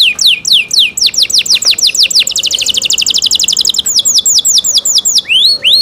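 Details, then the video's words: Canary singing crisp downslurred whistles that accelerate into a fast, even buzzing trill, then slow again into spaced falling notes and a final rising sweep. "CENKOK CANARI SOUND"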